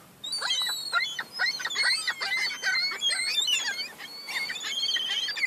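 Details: Young gulls squabbling over crumbs: a dense, continuous chorus of shrill, quavering squeals and downslurred whistles, many birds calling over each other in rapid succession.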